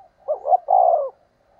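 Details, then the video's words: A single spotted dove lure phrase used to attract wild doves: a soft lead-in, a rolling double coo, then a long, steady, low cooing note fading out. "Tiếng cu gáy thúc bổi"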